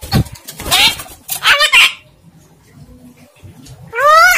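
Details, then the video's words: Javan myna kept by its owner, attempting to talk unclearly: harsh, noisy syllables and a short harmonic phrase, then near quiet with faint hum, followed by one loud, rising, wavering nasal call at the end. "jalak kebo ngomong ORA CETHO"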